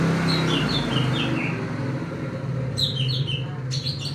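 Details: Greater green leafbird grumbling as it suddenly turns cloudy: a run of descending whistled notes, then after a pause more sliding whistles and sharp chirps, over a steady low droning hum.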